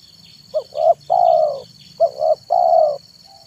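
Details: Spotted dove, local name tekukur, cooing in the afternoon to draw wild doves: two phrases, each a short note, a rising second note and a long smooth coo. Faint high chirps and a steady whine behind.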